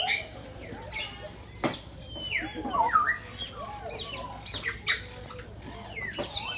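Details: Busy chorus of birds in Bangabandhu Sheikh Mujib Safari Park, Gazipur, Bangladesh: harsh squawks, short looping whistled notes and chatter overlapping throughout, with occasional louder peaks.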